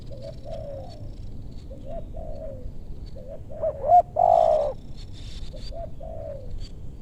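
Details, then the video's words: Spotted doves at a luring site in meranti woodland, west Bogor, Indonesia. Faint distant coo phrases throughout, broken by one loud near phrase with a sharp doubled note and a strong falling coo midway. "Pikat tekukur ajaran si bucil paksa turun bl suara besar"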